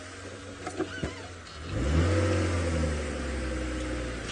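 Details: Engine starts after a few knocks, then revs and settles into a steady idle; no animal sound.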